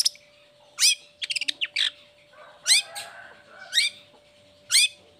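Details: Long-tailed shrike, recorded as a lure for lazy or moulting birds, giving loud sweeping upslurred chirps roughly once a second, broken by a short stuttering burst of clipped notes.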